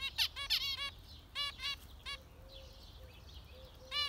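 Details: Zebra finches: loud clusters of nasal, toy-trumpet beeps at the start and end, with soft short low 'tet' notes repeated in between.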